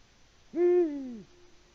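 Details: A single deep hoot from a male Eurasian eagle-owl in Latvia, calling in March with no female replying. The note rises briefly, holds steady and full, then sags lower as it fades. Low steady hum in the background.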